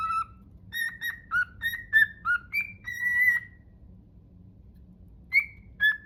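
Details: Cockatiel attempting the Totoro melody: a run of short, clear whistles hopping between a few pitches, ending in a longer held note, then a quiet pause and two more whistles.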